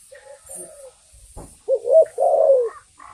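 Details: Spotted dove lure call. After soft low sounds and a brief thump, one loud cooing phrase of a short note and a drawn-out falling coo is heard over a constant high hiss.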